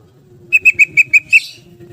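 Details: Yellow-vented bulbul singing in the rapid ropel style: a single burst of six sharp, ringing notes in quick, even succession, ending in a harsher note, over a faint low background hum.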